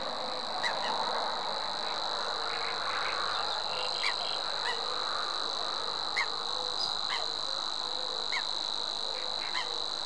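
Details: Savi's warbler giving a continuous high, even reeling buzz that holds unchanged the whole way through, while other birds add short, sharp chirps every second or so against a constant background rush.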